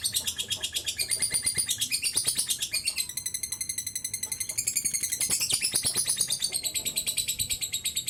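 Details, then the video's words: Long ngekek from a lovebird used to stimulate other birds into song: continuous shrill pulsed chatter, very fast and somewhat irregular, with brief shifts in texture. "pancingan love bird ngekek panjang"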